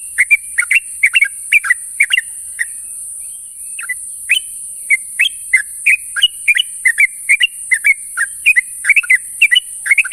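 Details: Yellow-vented bulbuls calling for companions in the morning: a dense, steady stream of brief bubbly chirps and paired whistled notes lasting ten seconds, with a short lull midway and a constant high hiss.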